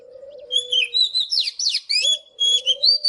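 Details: Oriental magpie-robin singing in the morning: rich, fast whistled phrases with sliding notes and buzzy trills, opening after a low, drawn-out dove coo that returns near the end.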